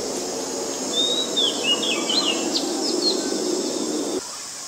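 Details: Oriental magpie-robin, a very common resident of Ubon Ratchathani, Thailand, recorded on 19 March 2022 with a Nikon P1000. It sings a run of sweet, varied whistled phrases with rising and falling slurs, against a constant insect drone and low background rumble.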